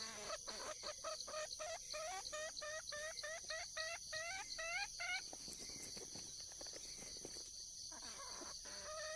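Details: A wild junglefowl hen calling for a mate: a rapid series of short, harmonic, rising cackling notes, after which clucks and clicks follow under a constant high insect hum.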